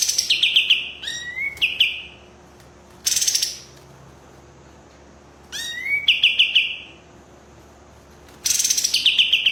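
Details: White-rumped shama in full song, mixing sharp rising whistles with harsh buzzy trilled bursts, phrases coming every two to three seconds with quiet gaps between.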